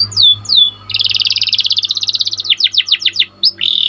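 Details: Caged white panda canary in full song: two sweeping whistled notes, then a long fast buzzing roll, a series of sharp downslurred notes and a final buzzy trill, with faint low hum.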